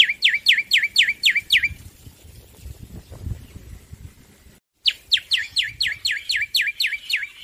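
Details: Male black-winged myna delivering loud, vigorous song: two bursts of rapid, sharply down-slurred whistled notes, about four per second. A quiet pause separates the bursts.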